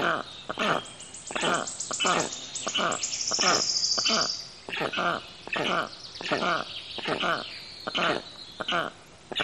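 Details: Black storks, more than one bird: harsh, broadband rasping notes repeated roughly once a second. A thin, high, gradually falling whistle overlaps them for a few seconds.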